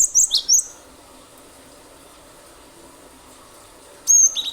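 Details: Persistent gelatik batu (cinereous tit) singing, used as a lure. A fast, high whistled phrase that drops in pitch, then silence, then another high whistle falling to a lower note.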